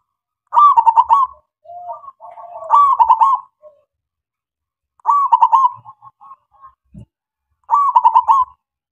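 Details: Local zebra dove singing to lure other doves into song. Loud, rippling coo phrases repeat every two to three seconds, interspersed with quieter, lower single coos and one brief knock.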